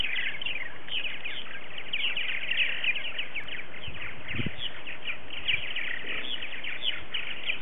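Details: Purple martins at their colony during an early-season morning social on February 28, 2018, with 60 to 70 after-second-year birds present; many overlapping chirps and gurgling twitters run continuously over steady low wind rumble.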